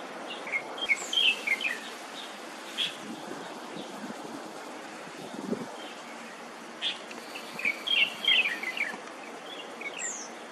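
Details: Ashy minivet recorded on Dongyin, Lienchiang County, on 17 April 2022: thin, high chirping notes in two loose clusters, near the start and near the end, over steady wind and rustling background noise.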